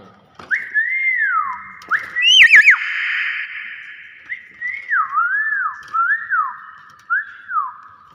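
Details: Common hill myna in vigorous voice, giving clear looping whistles that swoop down and back up, one long sustained tone with a harsh burst at its start, and several wavering whistled phrases repeated at short intervals.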